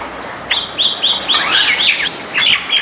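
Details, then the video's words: White-eared bulbul (white-cheeked bulbul) in a backyard: a quick run of five clear, arched whistled notes at an even pace, then a busier burst of overlapping chirps from several birds. "White-eared Bulbul sound"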